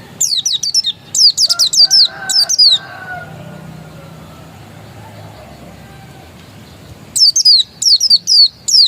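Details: Oriental white-eye, described as a pure original bird, singing quick clusters of high, steeply falling chirps in three phrases, then a long quiet gap before another rapid twittering burst.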